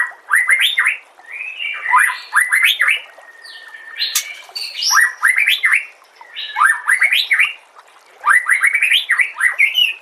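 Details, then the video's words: White-rumped shama training song for other songbirds: loud, varied phrases of rapid descending whistles and sharp chips in quick bursts, with high trills and a sustained whistled note, repeated in clusters every couple of seconds. "MASTERAN SPESIAL TAHUN INI AUDIO JERNIH KOMPILASI MEWAH UNTUK SEMUA JENIS BURUNG MURAI BATU"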